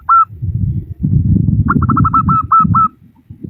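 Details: Female local zebra dove calling to males: one short coo, then a fast series of stuttered notes easing into longer coos, over heavy low rumbling background noise.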